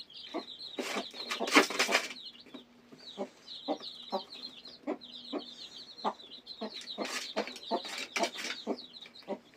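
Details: Newly hatched chicks peep with high rapid chirps, among lower clucking notes and bursts of wing flapping or rustling.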